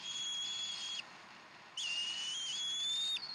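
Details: Bald eagles at the Decorah nest on 15 April 2012 around 6:00 pm, as fresh duck is served for dinner: two long, thin, high whistled notes, level then gently rising, with a steady background hiss.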